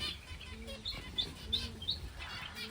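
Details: Pet finches kept at home: short high chirps, evenly repeated about every third of a second, with soft rustling and low background noise.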